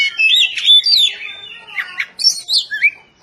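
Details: Training song of an Oriental magpie-robin for caged birds: a tight run of slurred whistles, buzzy notes and upward-flicking chirps, high-pitched and delivered without a break.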